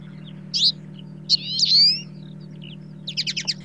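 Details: A Twite in Britain gives a short high note, then a drawn-out, nasal, rising 'chewy'/'twite' call that names the species and separates it from Linnet. It ends in a quick burst of chattering twitters over a faint low hum.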